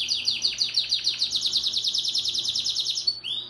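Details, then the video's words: Yellow Belgian-type domestic canary in fibra singing at a competition in Maripá de Minas, Minas Gerais, Brazil, 12th edition: a fast, even run of high chipping notes, roughly five per second, closing with a couple of brief upswept notes. "Canário Doméstico - Amarelão"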